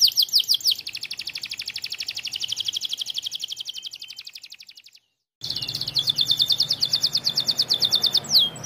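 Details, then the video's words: Pocong canary singing to provoke rival birds: a long, fast, high trill of rapidly repeated chipping notes that rises and falls in loudness, breaks off briefly, then resumes with a sharper, brighter rattling run. "Kenari pocong gacor bikin emosi lawan"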